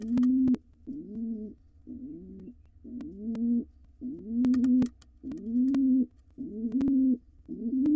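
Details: Male wild pigeon courting his mate at a nest box holding nestlings near fledging; a series of low, arched coos roughly one per second, each swelling then dropping, with scattered clicks in between.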